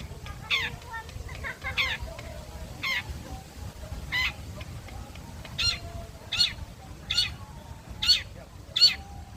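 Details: Long-tailed shrike of the blangkon type, sunbathing at midday: loud harsh rasping notes, repeated roughly every three-quarters of a second and growing stronger toward the end, over a low rumble.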